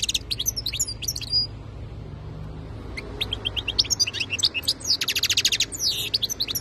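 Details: European goldfinch singing a lively run of metallic twitters, sharp whistles and fast buzzy trills, quieter for a moment in the middle, then resuming in quick repeated notes.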